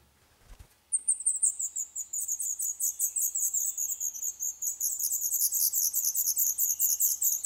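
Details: Black redstart chicks, about eleven days old, begging in a nest inside an old furnace pipe of a building awaiting demolition in Poland: a burst of very high, rapid chittering calls that begins abruptly and continues in pulsing waves, slowly falling in pitch.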